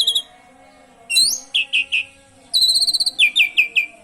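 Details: Asian pied starling song with canary imitations for prompting other birds to sing: a short trill, then a rising whistle and three clipped downslurred notes, then a fast trill running into more downslurred whistles.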